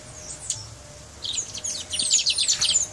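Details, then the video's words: Brown mustache finch from Guyana singing: after a second of near quiet, a fast, high twittering run of short sharp notes starts and grows denser and louder toward the end. "Guyana Brown Mustache Singing"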